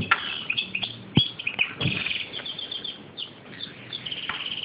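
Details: European goldfinch (Carduelis carduelis) giving quick, bright twittering notes and liquid chirps in a rapid, tumbling run, with a low rumble underneath.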